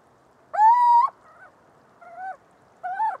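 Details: A little owl (Athene noctua) gives one loud rising hoot, followed by three shorter, softer wavering notes at a lower pitch.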